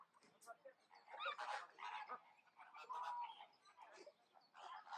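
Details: A male black-casqued hornbill gives nasal, braying honks and squealing notes in uneven bursts, mid-pitched and harsh, with no steady rhythm.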